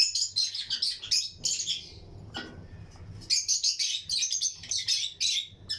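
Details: Lutino lovebirds in a colony aviary, pairs chirping and singing along with surrounding birds; dense runs of rapid, shrill chirps in quick pulses, a brief pause with a click, then renewed chattering.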